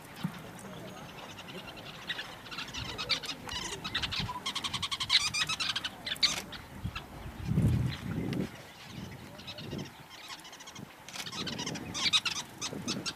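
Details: Sociable weavers at their large communal nest give a dense, busy chatter of short, dry, scratchy notes from many birds at once, with low voices and rustling underneath.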